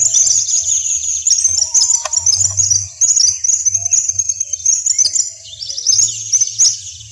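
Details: Western yellow wagtail calling in savanna country at Corozal, Sucre, Colombia, a bird locally called "corre caminos" that lifts its tail as it walks: thin, high chirps and twitters run almost without pause over a faint low hum.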